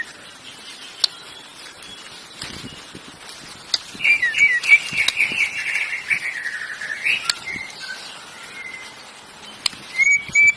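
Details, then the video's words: Canary song after a quiet start, a sustained buzzy trill of rapidly repeated notes lasting about three seconds, then scattered soft whistles and a few sharp clicks. "Canary singing, canary sound"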